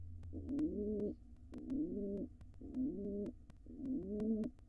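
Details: Pigeon male courting a dancing female ahead of laying, wild birds at a nest box; softer, more distant throaty coos in four rolling phrases, each swelling and fading, over low rumbling background.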